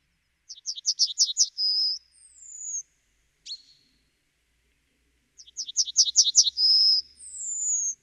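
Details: Two complete Yellowhammer songs, each a quick series of about seven sharp high notes ending in a held note and then a long descending whistle. A single short call falls between them.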